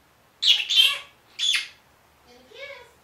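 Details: One-year-old pet Senegal parrot talking, its phrases including "good morning" and "I'll be back": two harsh, high squawky bursts followed by a softer, lower, voice-like harmonic phrase with a wavering pitch, in a quiet indoor setting.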